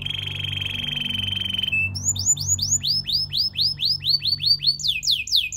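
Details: Belgian canary singing a song used to train other canaries: a long steady trilled tone, then a rapid run of repeated rising whistled notes, ending in fast high sweeps; a low hum runs underneath.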